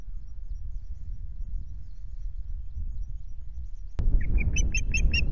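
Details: Osprey at a nest at RSPB Loch Garten on 26 May, filmed by nest camera on a day ending with half a fish. Low wind rumble, then a sudden knock and a quick series of sharp, piping chirps.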